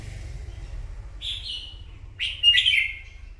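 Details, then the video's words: Morning fighting song from a red-whiskered bulbul, newly caught: a soft slurred phrase near 1.3 seconds followed by a louder, fuller rolling warble at about 2.2 seconds, with steady low background hum throughout. "Kích chào mào bổi hót đấu " luyện giọng chào mào hót buổi sáng kích chim hót đấu căng lửa"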